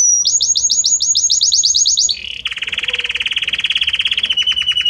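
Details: Belgian canary singing varied notes that change gradually: a quick series of high repeated chirping trills, then a shift to a lower steady rolling trill that continues to the end.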